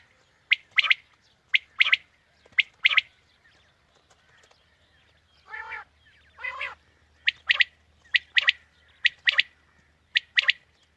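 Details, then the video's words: Quail calling used as a morning hunting lure: paired sharp notes repeated at steady intervals, broken midway by two lower, rasping, drawn-out sounds, then the crisp phrases resume. "Batair ki new Awazay| Quail Calling 2020 | Batair Ki Awaz suba ki shikar Ki liye|Saaf Batair Ki Awaz"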